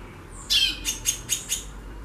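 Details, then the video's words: White-bellied seedeater female calling busily in the xaxando style: an opening harsh buzzy burst followed by four quick, evenly spaced high chips about every quarter second, clear above a faint low hum. "FÊMEA DE CHORÃO XAXANDO MUITO"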